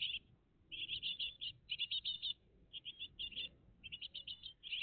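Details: Great tit family at the nest, live in the early morning of 20 June 2023; short groups of fast, high chirps repeated every half second or so, with a quiet backdrop.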